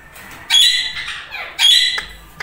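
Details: A pair of bonding pet Indian ringneck parakeets; one gives two loud, harsh, high squawks about a second apart in a quiet room.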